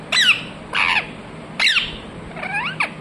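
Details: Harsh parrot squawks, four raspy calls in three seconds, some sliding downward and the last more tonal and rising, over quiet background hum.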